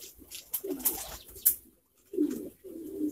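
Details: Several pouter pigeons, a domestic pigeon breed, kept in numbers: low rolling coos in two or three bursts, with sharp clicks and wing or scuffling noises between them in an indoor space.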